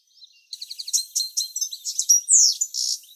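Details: European goldfinch male near a nest with incubating female, late July: high liquid twittering song, quick trills and chirps followed by a longer descending buzzy note, after a faint soft intro.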